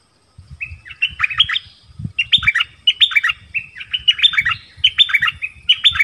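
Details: Dok taeng bird used as a decoy to call a mate in the forest, 13 January 2021. It sings a continuous string of jaunty, warbling phrases that repeat about every second, over soft low knocking and rustling.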